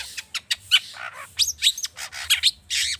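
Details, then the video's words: Long-tailed shrike lure song, agitated and rich in mimicry, played so other birds start singing: dense harsh chatter and buzzy, noisy bursts mixed with short whistled twists, nearly continuous across the few seconds. "Pancingan cendet emosi, full isian mewah"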